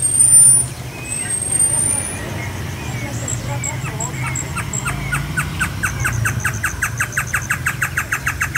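A great antshrike sings a long series of hollow notes that steadily speed up.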